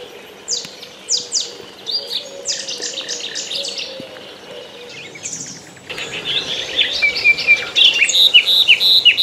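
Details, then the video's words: Morning birdsong by a river among poplars: bursts of sharp descending high chirps, then a denser chorus of overlapping whistles and trills, several birds calling at once. "Paseo entre cánticos de los pajaros en el rio.Walk between songs of the birds in the river."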